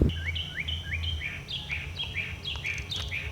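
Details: Northern Mockingbird filmed at an electric pole in an upper garden, in uncut footage of a bird running through many different songs: clear repeated phrases of downslurred whistled notes around two to four kilothertz, about two per second, shifting pattern midway, over low rumbling background noise.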